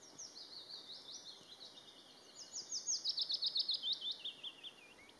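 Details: A willow warbler in Sutlepa, West Estonia, in spring 2020, sings a sweet, liquid phrase of quick high notes that swells, then cascades gently downward and fades, over faint background hiss.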